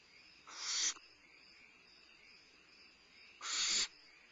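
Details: Midnight meal of a limping barn owl owlet, Starr Ranch, 2011-05-22: two loud, rasping hiss-screeches roughly three seconds apart, each about half a second, against a steady high-pitched background drone.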